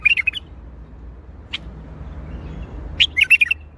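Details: Bulbul giving Baghdadi-style song: a quick warbled phrase at the start, one lone sharp chirp in the middle, then a bright, rapidly rippling burst of chirps and warbles, with a quiet low hum beneath.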